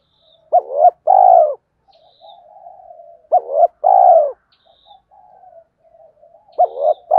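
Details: Spotted dove cooing to provoke wild rivals in the two-ending style: phrases roughly every three seconds, a couple of short hoots leading into a long burry coo, with soft warbling chirps of other birds between them.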